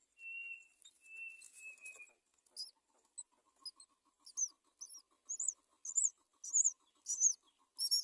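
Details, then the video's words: At a nest where a great myna feeds its young, three drawn-out level whistles give way to a rhythmic train of sharp, high chirps over a soft ticking pulse. "Great myna bird Feeds ducklings on the nest"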